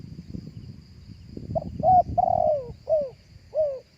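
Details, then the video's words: Live cooing of a spotted dove, kept for playing through a loudspeaker to draw in other doves. Low rustling and thumps come first, then four mellow coos: two short, one drawn-out and sinking, and a final downward note. "เสียงนกเข้าใหญ่ขันสดๆ เอาไว้เปีดล้อนกต่อหลือไว้ต่อด้วยลำโพง"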